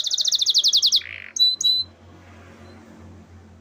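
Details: Canary song: a quick high trill of repeated notes, a short buzzy lower phrase and two clear whistles, followed by near silence.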